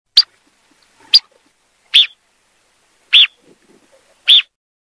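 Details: A grey phalarope (Phalaropus fulicarius) gives five sharp, high, clipped 'pit' calls, spaced about a second apart, against a quiet background.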